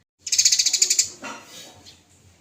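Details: Eurasian tree sparrow fighting, described as lively and vocal, from a training recording: a rapid, high buzzy chatter of about ten even pulses in under a second, then a fainter trailing rasp.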